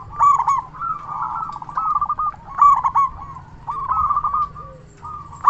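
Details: Loud local zebra dove, used to rouse silent or stressed doves and draw replies: three phrases, each a clipped stuttering start followed by long purring low trills, with a brief fourth phrase at the end.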